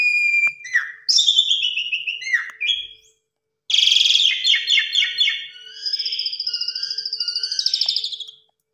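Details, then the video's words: Asian pied starling singing varied lure material: falling whistled slurs, then a pause, then a harsh rattling burst that becomes a fast, evenly pulsed high trill held for about three seconds. "Pancingan Suara Jalak Suren MATERI KUMPLIT Full Isian Mompa + Gacor Burung Lain Ikut Terpancing"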